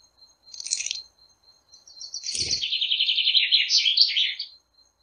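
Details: Flycatcher giving a brief high scratchy chirp, then after a pause a sustained rapid trill of closely repeated notes lasting over two seconds, with a faint steady high whine in the background and a soft thump.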